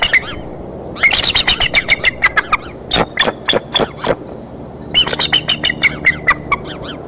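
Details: A mother eagle's sudden outburst at the Decorah nest on 30 March 2015 surprises her two eaglets; loud, harsh, rapid squawks in three bursts, each a rattling series of piercing notes, with quiet gaps between.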